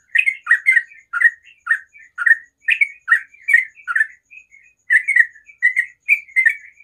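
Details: Morning song of a sooty-headed bulbul: brisk chattering phrases of harsh, short notes delivered rapidly, two or three a second, with a brief softer pause near the middle before the run resumes.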